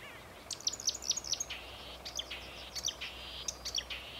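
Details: A marsh warbler sings on 8 May 2015 at the Homolka ponds, Velké Poříčí: a fast run of four sharp, high chips, then buzzy trills mixed with quick twittering notes, over faint background hiss.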